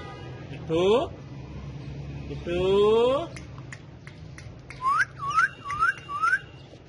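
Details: Pet parrots dancing and talking on a bike; long rising whistled sweeps, then a quick string of four short upward-bending whistles near the end, with faint clicks between them.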